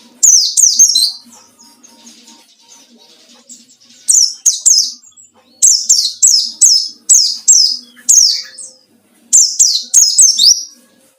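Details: White-eye singing ngalas to find a rival, used as a lure: an opening burst, a pause, then a long rapid series of about ten sharp, high falling whistles in close succession, ending with another cluster.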